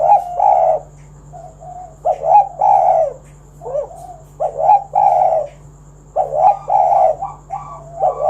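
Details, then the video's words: Spotted dove cooing to entice other doves to call: repeated low, husky coo phrases about twice a second in bursts, with dipping notes between them and occasional clicks. "Tekukur Kuk 1 Gacor Suara Panggilan Burung Derkuku agar Bunyi Gacor Manggung"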